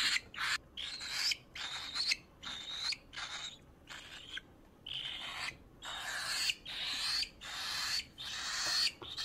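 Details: An 18-day-old cockatiel chick being hand-fed gives harsh, raspy hissing chirps in rapid bursts, a bit more than one per second, with no other clear sounds.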